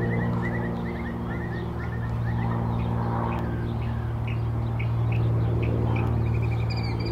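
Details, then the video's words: Northern mockingbird singing at Old South Cemetery on 17 April 2024: quick runs of repeated chirps, switching to higher, thinner phrases near the end, over a loud, steady low rumble like traffic. "northern mockingbird singing"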